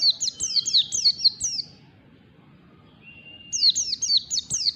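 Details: Learning white-eye performing long standard ngalas song: two bursts of bright, high, down-slurred notes repeated roughly twice per second, each burst led by a thin level whistle, a quiet interval between.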